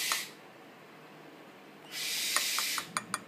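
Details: Captive tropical screech owl chicks, 15 to 20 days old, at an animal cafe in Kobe, give two long, breathy hisses, a short one then a longer one, followed by a few sharp clicks.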